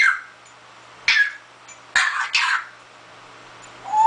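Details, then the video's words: Pet parrot that has learned to imitate coughing, producing short, rough, breathy cough bursts in a quiet room, followed by a brief rising squeak at the end. "My Parrot Oliver Coughing"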